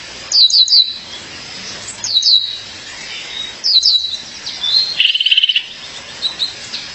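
A female violaceous euphonia calls to her mate with short bursts of high, thin, slurred chips about every two seconds, ending in a brief rapid trill.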